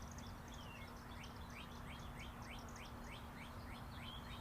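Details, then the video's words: Several birds tweeting outdoors in raw, unlooped ambience: a steady stream of quick, high chirps and short descending twitters, overlapping one another, above a continuous low hum of traffic from Interstate 40. "Chirping Birds"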